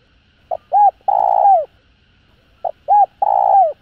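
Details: Spotted dove calling to stimulate other doves: two phrases about two seconds apart, each a short soft note, an arched coo, then a long, loud, falling croo, in a quiet setting.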